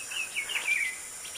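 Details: White-lined tanager in Brazil giving a short run of thin, slurred chirps falling from high to mid pitch, over a steady high insect hiss.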